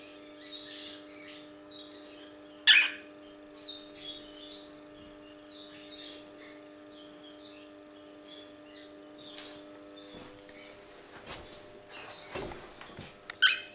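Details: Two-month-old cockatiels give scattered, brief raspy chirps, with a loud harsh squawk now and then, over a steady hum.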